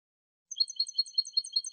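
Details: European goldfinch singing on a song recording: a rapid, even run of tinkling, liquid notes repeated about five times a second, bright and high, over a silent background.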